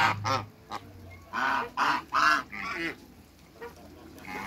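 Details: Backyard pair of giant African geese with other waterbirds: three strong, harsh honks in quick succession, followed by quieter scattered calls and a low hum underneath.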